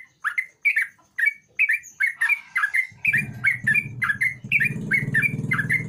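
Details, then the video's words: Sooty-headed bulbul in full song, a lure for a bulbul that will not sing: quick, warbled, downward-slurred phrases repeated rapidly, with a low rumbling hum joining halfway through. "Burung trucuk gacor Buat pancingan trucuk malas bunyi"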